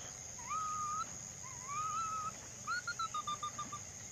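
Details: Ruddy-breasted crake: two rising slurred whistles, then a series of short notes that step gently downward and slow toward the end. A constant high insect drone sounds in the background.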